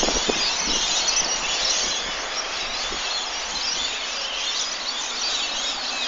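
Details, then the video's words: Many lorikeets chirping in the evening, a steady, dense mass of high squealing and chattering calls, slightly louder in the first two seconds, over a soft low hum. "Lorikeets chirping in evening"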